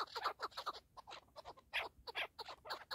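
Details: Partridge uttering quick harsh clucks in irregular clusters, with short pauses between bursts.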